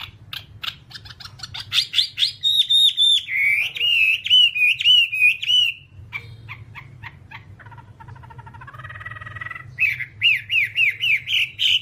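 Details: Whambie master song for captive-bird training. Quick sharp ticks build into sustained high whistles, then a wavering warble, a softer lower chatter, and finally lively looping whistled phrases repeated rapidly.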